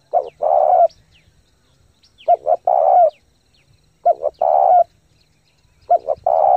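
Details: Fast 'thúc gù' cooing by a spotted dove lure, meant to stimulate decoys and train wild-caught birds: four deep phrases of two short coos and a long one, with faint high chirps from other birds.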